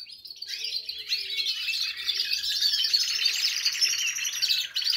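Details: A group of canaries in a big aviary singing after their moult, as preparation for breeding begins; continuous rich warbling with rapid trills and rolling chatter layered from many birds, building in intensity, with faint low hum beneath.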